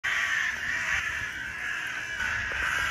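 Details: Crows reacting to black feathers shown to them, giving a harsh, continuous chorus of overlapping caws that never lets up.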